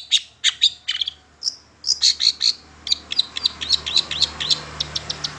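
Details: Long-tailed shrike lively song used as a lure to make other shrikes sing: sharp high chips and clear short whistles repeated in quick runs over a faint hiss and low hum.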